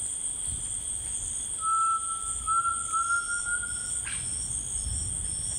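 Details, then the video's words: Tinamou singing in rainforest: a single long, pure, steady whistle that rises slightly toward its end and lasts about two and a half seconds, over a constant high-pitched insect drone and a low background rumble. "The Singing Tinamou"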